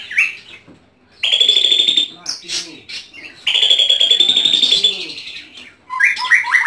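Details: Home-kept white-rumped shama giving two long, high, buzzy trills, each lasting about a second, with short chattering notes before, between and after them.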